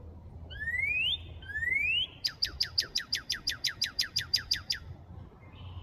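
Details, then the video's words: Northern (red) cardinal in Markham, Canada, gives two long, rising slurred whistles, then a fast run of about fourteen sharp, down-slurred notes, over a low hum. "Red Cardinal Chirping Sound"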